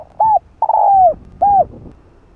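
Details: Spotted dove (cu gáy, cu đất) giving a lure-style calling song meant to excite caged doves: a short hooded coo, a longer falling coo, then another short coo, all soft and mellow over a quiet background.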